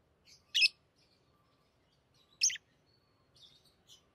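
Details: Tame pet lovebirds chattering and singing while playing with rings: two loud, shrill chirps about two seconds apart, with softer high twitters between them and at the end.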